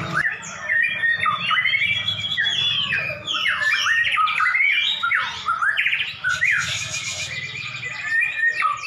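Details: Two prize-winning white-rumped shamas set against each other in a duel: a dense, rapid stream of varied whistles and sweeping slurred notes, some rising and some falling, with brief buzzy bursts and a low hum underneath.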